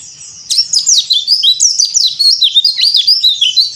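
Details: A Bali yellow-breasted white-eye pours out an unbroken, very high and fast cor dor song of crisp downslurred chirps and zipping whistles, clear and close, intended as training audio for untrained white-eyes.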